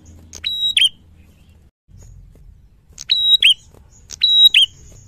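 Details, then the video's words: Red-headed tit, loud gacor fighter-style singing for use as a clear tutor recording. Two short phrases about three seconds apart. Each has a quick sharp note, a steady high whistle, then a slurred downward note. Faint low rumble behind. "Prenjak Kepala Merah Gacor Fighter Lantang l Masteran Jernih"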